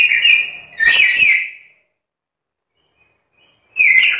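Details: Very talkative black-capped lory said to speak. It gives a run of loud, raspy, squealing notes with brief gritty bursts, then falls silent for two seconds before another harsh squeal.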